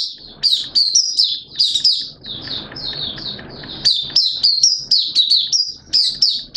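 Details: Malaysian mata puteh, a white-eye kept as a hobby songbird, singing openly on 21 June 2023: quick runs of thin, high, warbled notes with a short gap, then another dense burst of chirps.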